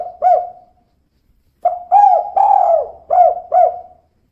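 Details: Kuk 2 call of a female spotted dove: one short coo, a pause, then a phrase of five mellow hoots, the middle note drawn out and falling. Nothing else is heard.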